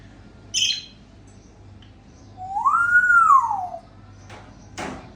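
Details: Mating African grey parrot from Sukkur giving a single smooth arched whistle that rises then falls, framed by a brief higher squeak before it and soft clicks and knocks after.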